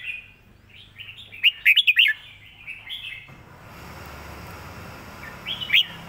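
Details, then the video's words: Red-whiskered bulbul model song for training birds: a loud cluster of five quick warbled whistles, then a hiss of background noise and one closing note. "สำนวนเพลงแม่บท ร้องง่ายๆ (ไว้เปิดสอนนก)"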